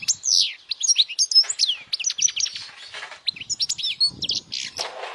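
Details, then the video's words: European goldfinch singing powerfully for young goldfinches to memorize; continuous quick twittering with sweeping slurred notes, buzzy trills and chirps, with soft low rustles in the background. "Jilguero cantando fuerte para memorización los jilgueros /Goldfinch singing the best chirping sounds"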